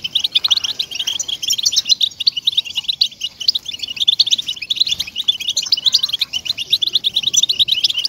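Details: Song of the European goldfinch, meant to stir caged goldfinches into singing. Rapid liquid twitters and sharp chips tumble on without pause, high and bright, over a faint low background hiss.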